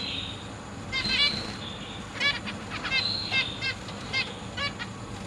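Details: Zebra finches in a large cage, 12 August 2023, with parents feeding young that recently left the nest. Dense overlapping nasal, trumpet-like beeps and short harmonic calls, several birds calling together almost continuously.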